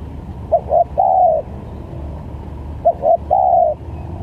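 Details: Spotted dove calling as a lure for trapping, with varied phrasing: two low cooing phrases, each two short coos followed by a longer, slightly falling drawn-out coo, about two seconds apart, over a low background rumble.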